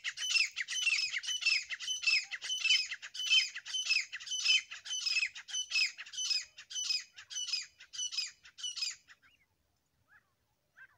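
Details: Grey francolin pair (desi teetar) calling: a long unbroken run of strident, grating phrases, each repeated at a steady rhythm of almost two per second for about nine seconds, then fading to a few soft notes and silence.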